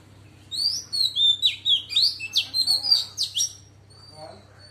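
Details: Oriental magpie-robin hen in forest-style song, used as a lure: after a short pause, an energetic burst of varied whistled phrases and sharp downslurred notes, then a faint closing whistle, with a steady mains-like hum beneath.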